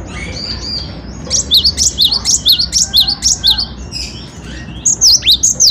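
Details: Singing cinereous tit (gelatik batu), for tutoring songbirds: after a few soft high whistles, a string of about ten loud, bright, zigzagging chirps in quick even rhythm, then a brief pause and three more.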